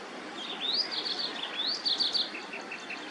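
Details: Two bright whistled phrases from a white-browed wagtail, each an upward slide into a jumble of high notes, followed by a few soft short chirps.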